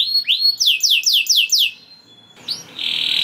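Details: Gacor canary song intended to arouse breeding mood in other canaries; a rising slur, then five loud descending swept notes in quick succession, a thin held tone, and a high steady whistle.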